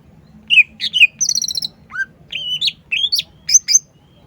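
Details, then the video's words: Cucak ijo, the green leafbird, delivering varied song: slurred high whistles, a rapid trilled buzz, a low falling note and rising upslurs in quick succession, with low background hum. "CUCAK IJO GACOR"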